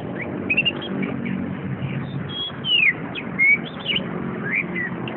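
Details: Caged chestnut-capped thrush from a shop collection giving varied whistles, including clear downslurred and short rising notes spaced irregularly, over a constant low rumbling hum.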